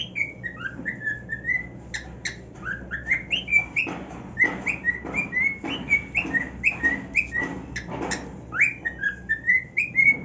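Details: A male cockatiel kept as a pet sings on his new nest, excited and happy, with a long series of rising whistled notes and clicks repeated about twice a second, plus a low hum underneath.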